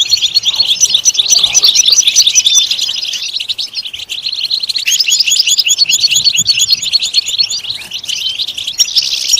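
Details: European goldfinch pouring out a long run of quick, chattering high chirps and trills, dipping briefly in loudness near the fourth second before resuming at full pace.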